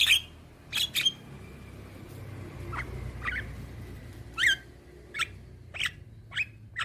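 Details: Young Javan myna in full song, played to coax silent mynas into responding: sparse scratchy notes and thin rising whistles spaced about a second apart over a low steady hum.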